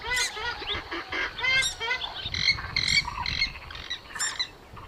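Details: Purple swamphen calling for use as a hunting lure, with loud, irregular nasal squawks and honks crowding together, some notes bending upward, others clipped and short.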